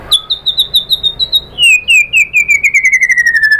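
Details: White-rumped shama lure song: a rapid series of high whistled notes repeated about four times a second, first steady and high, then a lower run that slowly descends.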